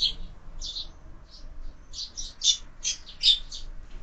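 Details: Fighting sparrows at a feeder fixed to a window, fed year-round, trade rapid bright chirps in irregular clusters, several overlapping, against a quiet low hum.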